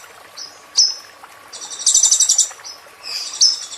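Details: Sunbird song used as training material for caged birds: high thin chips and short whistled slurs, then a rapid high pulsed trill of about a second, and more sharp slurred notes at the end.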